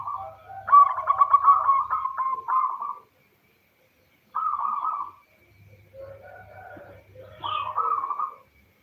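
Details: A local female perkutut, or zebra dove, calling the male, played as a lure for males to answer; a long rapid rolling coo, a pause, a shorter burst, then softer scattered notes.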